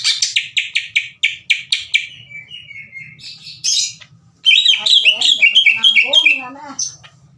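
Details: Loud, angry greater green leafbird song challenging another leafbird: a rapid series of about ten sharp clipped notes, a trailing lower whistle, a brief pause, then chattering warbles with some lower slurred notes.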